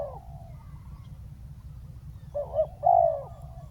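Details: Spotted dove decoy on the ground calling down a wild bird; after a trailing note and a quiet stretch, one clear phrase sounds, a quavering short note followed by a longer falling coo.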